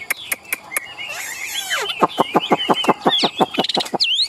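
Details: Tame caged Chinese hwamei in Vietnam with a yellow bill and yellow legs, singing with tail fanned and wings raised. Scattered sharp notes and a buzzy burst lead into a fast series of repeated clipped notes and rising whistles.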